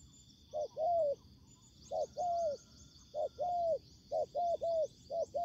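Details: Spotted dove used as a ground decoy in trapping, meeting a fighting wild bird: low cooing phrases, a short note then a longer falling coo, repeated about once a second, over a steady high insect drone.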